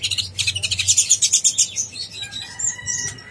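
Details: Konin blorok, a sunbird kept for bird contests, in full song: a rapid run of high, bright, stuttering notes pulsing about three times per second, then thinner descending chips and a short, high, drawn-out whistle.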